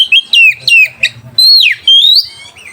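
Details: White-rumped shama song for rousing rivals and mating desire: a rapid series of loud downslurred whistles followed by a high note sweeping downward and a rising whistle.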